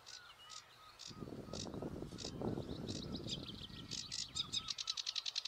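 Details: Sedge warbler (Acrocephalus schoenobaenus) in reeds at St Fittick's Community Park, Torry: scattered high scratchy notes over a broad rushing, rustling noise, ending in a fast, accelerating chattering trill.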